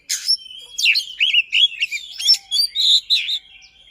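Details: Oriental magpie-robin (kacer) singing a rapid, long, insistent lure song for silent magpie-robins: a tight run of bright whistled upslurs and warbling notes, with a few rough chatters.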